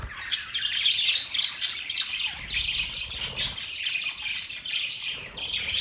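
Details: Budgerigars described as happy, chirping in a dense, continuous chatter of high squeaky notes and short warbled phrases, with bright peaks around one and three seconds and no pause between calls.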